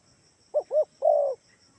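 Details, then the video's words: Single lure call of a spotted dove from Kalimantan, meant to get other doves calling: two short hoots then one longer coo, over faint low noise. "gunakan suara tekukur ini || di jamin pasti yg di rumah ikutan bunyi"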